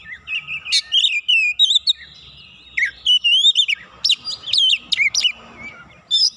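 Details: Song of a White-rumped shama reacting to a rival: lively sequence of looping whistles, sharp upsweeps and chip notes in irregular bursts.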